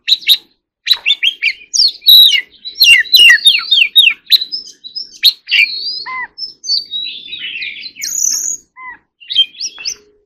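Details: Dense white-rumped shama song: rapid chattering whistles in the first half, then sparser high slurred phrases and a few lower fluty notes.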